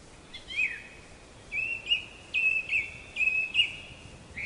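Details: Black-capped chickadee repeating harsh, buzzy level notes in a rhythmic series, about one each half second, each with a rough grainy quality, over faint steady background noise.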